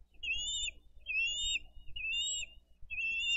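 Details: Bald eagles at a Dade County nest on 22 April 2023, the parents bringing in fish and feeding two eaglets; high, thin whistled calls with wavering pitch come in strings about once a second, over low background rumble.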